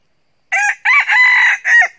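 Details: Red junglefowl rooster used as a decoy, crowing to lure wild roosters: one loud harsh crow in three or four bursts, the long middle part held steady, with silence before it.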